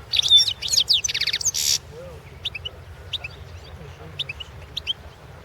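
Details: European goldfinch singing in the 2016 World Championship in Goldfinch Song: opens with a loud rapid rattling trill and buzzy twitter, then scattered short high chirps at irregular spacing over steady low hum.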